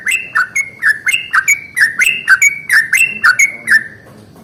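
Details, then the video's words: Yellow-vented bulbul in morning song intended to set other bulbuls singing: a steady, rapid chain of rich, warbling whistled notes roughly once per second, ending abruptly in quiet background noise. "SUARA trucukan ROPEL PANJANG pagi hari | Rajanya bikin trucukan lain gacor"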